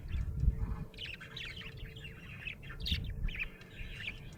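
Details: Pet budgie in good spirits, chattering in a rolling warble of squeaky chirps and twittering phrases after a soft thump at the start.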